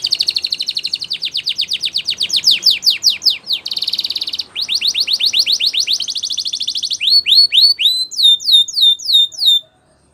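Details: Spanish Timbrado canary song used for canary training: fast tours of downward-sweeping whistled notes, rattled trills and a buzzy rolling stretch, ending in slower, clear rising-falling notes.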